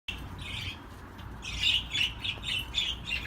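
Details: Budgerigar song: a rapid, buzzy chattering warble of short chirps and scratchy notes, quiet at first and then a denser, louder run of bright twittering phrases in the second half, over a low steady background hum.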